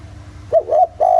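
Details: Brief spotted dove coo in the 'giọng thổ' style, used as a lure for other doves: a short wavering double hoot followed by a longer level note, over a low background hum.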